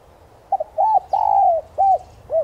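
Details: Spotted dove calling, a recording for stimulating caged doves. Five-part hollow cooing: a short doubled note, an arched coo, a long coo fading downward, then two evenly spaced arched coos, against low rumble.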